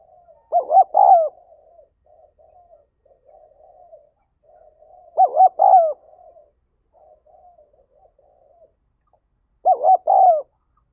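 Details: Urging 'thúc gáy gọi' calling of a spotted dove, used to stir decoy doves: three clear double coo phrases spaced about four and a half seconds apart, separated by soft, low murmured coos.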